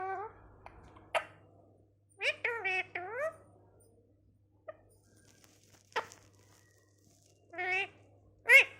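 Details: Talking parrot indoors producing several short voice-like utterances with wavering, rising tones, separated by pauses, with a few sharp clicks and a faint steady hum in the room.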